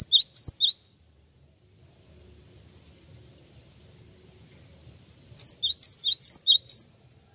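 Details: Java sparrow calling as a lure that gets answers. A burst of three or four high, flicked chirps opens, a quiet stretch with low background rumble follows, then a lively series of about seven rapid chirps closes.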